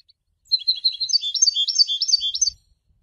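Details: Goldfinch song used for education and training, described as announcing presence and attracting females: a fast, bright twittering run of high chirps and trills lasting about two seconds, with clean silence around it.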